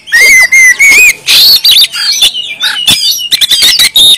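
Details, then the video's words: Oriental magpie-robin (kacer) from Kalimantan, in energetic, persistent song: loud, varied whistles that slide and twist, mixed with sharp chirps and harsh rasping notes in quick, irregular bursts. "awas kacer anda ikut nyaut,gacor,dan buka ekor mendengar kacer ini"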